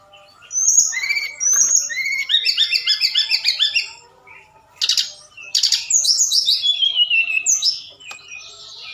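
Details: Forktail singing at night as a lure to provoke replies from other birds: high whistles, then a long, fast stuttering run of repeated notes, harsh bursts, and a descending whistled trill.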